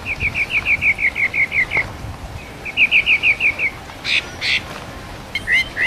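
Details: Sabiá parda thrush in 'mateiro' song, recorded live: two rapid runs of short, even notes, then brighter bursts and sliding whistles toward the end, over a soft background hiss.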